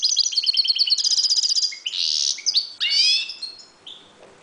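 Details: European goldfinch breeding in a cage: rapid twittering phrases, a buzzy rasping note, then liquid rising and falling high tweets, loud and close with a quiet background.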